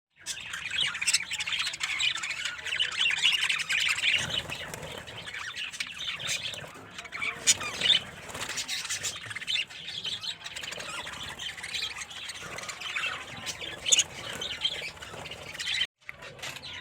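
Budgerigars chatter steadily with high warbling twitters and sharp squawks.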